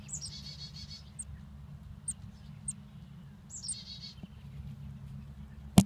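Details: Baby chickadees give two very high, buzzy, rapidly pulsed bursts, with thin isolated peeps between them, a sharp click at the end and a low hum underneath.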